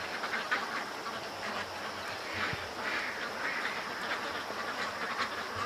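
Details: Domestic ducks, noisy and active in the rain at about 4 o'clock in the morning, give repeated overlapping nasal quacks beneath a constant hiss of rainfall.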